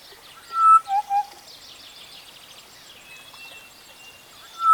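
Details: Western Black-headed Oriole (Oriolus brachyrynchus) call: a few clear, low whistled notes, the first sliding down, then two short falling notes, with faint chattering from other birds in the background and a final whistle at the end.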